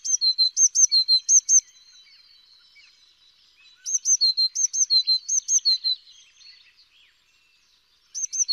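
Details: Green-backed tit song: bursts of high, sharp two-note phrases repeated quickly, about eight to ten notes per burst, separated by pauses of several seconds, with faint twittering in the gaps.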